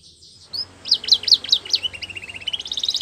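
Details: Belgian canary singing for training: a few loud slurred whistles followed by a quickening high trill, with a faint low hum behind.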